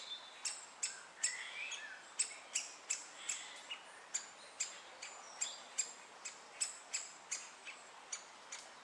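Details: Great spotted woodpecker chick at Moat Farm, fed by its mother and father: a steady run of short, hard, clicking ticks repeated almost three times a second, and a soft whistling bird faintly behind.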